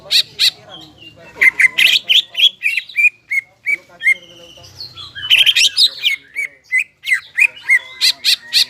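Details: Greater green leafbird in lively full song, used to stir up stressed leafbirds that have stopped singing; varied rapid chirps, whistles and trills around high pitch, with bursts of sharp notes and sliding whistled phrases.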